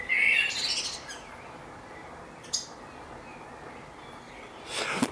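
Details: Recorded in a garden on 11 May 2014, a great tit makes a loud, buzzy burst of high notes, then sparse single chips and another harsh burst at the end.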